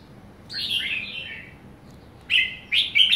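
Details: Bubbly slurred phrases from a young caged red-whiskered bulbul, with one longer falling warble, a pause, then three short clear whistled bursts in quick succession.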